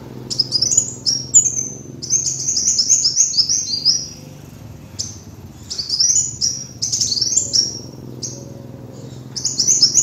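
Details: Kolibri wulung sunbird lure sound: repeated bursts of high, thin, descending twitters and chips, irregularly spaced across the clip, with a steady low hum behind.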